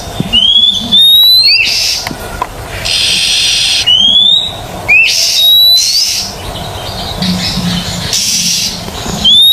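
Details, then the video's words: Training recording of an Oriental magpie-robin to make silent magpie-robins sing. Clean upward-sliding whistles recur every few seconds between loud stretches of hissing, buzzing noise, with some low rumble underneath. "MASTERAN TERBARU KACER GACOR..!! 100% TERAPI KACER MACET BUNYI DI JAMIN LANGSUNG NYAUT"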